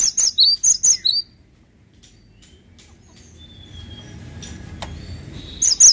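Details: Cinereous tit opens with a fast series of shrill, high two-note figures. A quiet stretch with faint chirps and a thin whistle follows, then the song resumes at the close.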